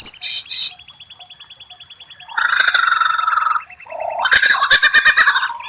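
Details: White-rumped shama (murai batu) training song with rare 'tembakan' phrases, strange yet striking: a high buzzy burst, then a long run of even rapid ticking notes, a loud broad churring trill, and a rising, stuttering buzzy phrase.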